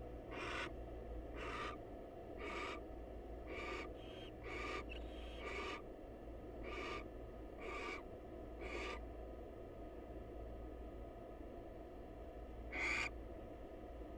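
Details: Wild female barn owl visiting the male at a monitored nest box to greet him: a long series of harsh, hissing screeches, each short and breathy, roughly one per second, with a steady low hum underneath.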